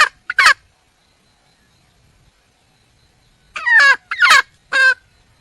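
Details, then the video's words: Wild junglefowl hen calling for a male: two short harsh notes, a long silence, then three loud squawks with wavering, descending harmonics spaced about half a second apart. "le bruit d'une poule sauvage,เสียงไก่ป่าร้องหาถู่หาตัวผู้,ສຽງໄກ່ປ່າຮ້ອງຫາຄູ່ຮັກ, poj qaib qus see"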